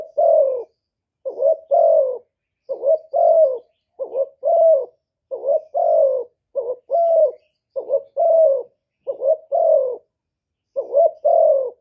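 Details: Spotted dove decoy bird from Cà Mau cooing to lure wild doves: long sequence of about ten low double coos, short quaver then longer note, mostly regular, in a silent setting.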